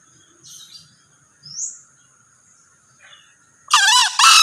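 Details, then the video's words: A male green junglefowl's crow closes the clip: two strident, harsh bursts after a few seconds of near quiet broken by faint chirps and a single rising squeak. "Suara Ayam Hutan Hijau(Jantan)"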